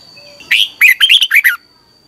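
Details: Red-whiskered bulbul singing in a morning practice session, a lure to stir other birds into fired-up song. One quick phrase of five or six bright, warbling chirped notes over a faint steady high tone.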